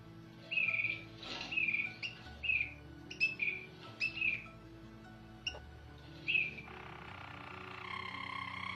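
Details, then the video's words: Waterslager canary, white, a Belgian song breed prized for a gentle water-like song, giving short separate warbled notes in an irregular series, then a sustained tonal passage at the end, with faint background music. "water selgar wite canary"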